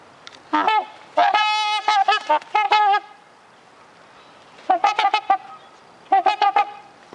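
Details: A pair of trumpeter swans honking at a bird sanctuary: rapid series of brassy, nasal honks in three bouts separated by short pauses.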